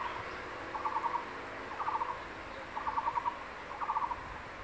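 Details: Male crested goshawk by the nest in secondary forest, carrying a caught lizard and calling the female to lunch: four clipped pulsed chatter bursts, about one per second, over quiet forest background.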